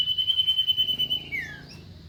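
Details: Common iora: a rapid, pulsing high trill for over a second, ending in a clear falling whistle, with a faint higher note after it.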